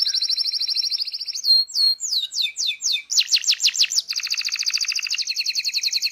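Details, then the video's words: Local canary in full-filled masteran training song, ngeroll style: high trill, then sweeping whistled slurs repeated about every third of a second, ending in a long fast rolling trill. "FULL NGEROLL | MASTEAN KENARI LOKAL GACOR | FULL ISIAN | MASTERAN BURUNG KENARI"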